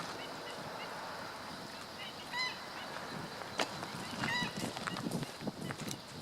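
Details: Black-winged stilt recorded 17 August 2013, giving short nasal, yapping notes in two brief bursts over a steady hiss of background noise.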